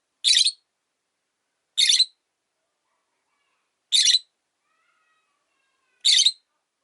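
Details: Widowed rosy-faced lovebird calling daily from its perch in a window-side cage; four harsh, buzzy, high-pitched squawks spaced about two seconds apart, with a faint low hum in between.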